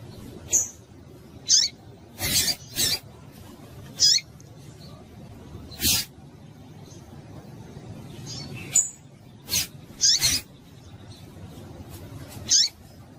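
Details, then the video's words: Female double-collared seedeater calling, a call meant to stir a male into singing: thin, very high chips given singly at uneven gaps of one to three seconds, mixed with sharp broadband clicks and taps over a low background hum. "Esse Piado de Fêmea de Papa capim é Seu Papa capim Vai Ficar Cantando RÁPIDO!!!"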